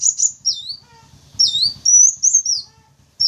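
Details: Sunbird lure sound meant to attract wild wulung, kaca and jentit sunbirds: high, sharp downslurred and upswept chirps in short bursts, with faint low rumbling underneath.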